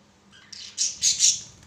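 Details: Pet budgerigars at play on a swing give a short burst of harsh, high squawking notes, three loud rasping bursts in quick succession over about one second, in a quiet indoor room with a faint low hum.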